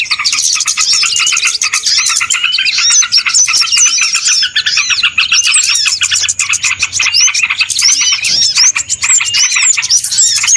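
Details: Many small birds chattering together in a recording used as a trapping lure, a long continuous wall of high, rapid chirps and short whistled slurs with no pauses and faint low hum beneath.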